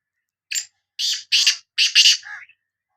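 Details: Loud rasping call of a Sindhi black francolin: a brief first note, a pause, then a quick string of four scratchy, grating notes ending in a softer, lower tail.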